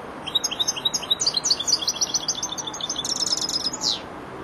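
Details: Four-month-old European goldfinch practising and beginning to complete its song: a continuous stream of rapid, evenly spaced high tinkling notes, speeding into a dense twittered trill and ending with a downward slurred note.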